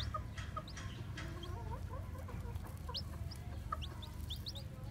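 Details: White Japanese bantam chicks with black tails, newly hatched, wandering about: short high peeps scattered throughout, mixed with soft low murmuring clucks in the middle, all over a steady low rumble.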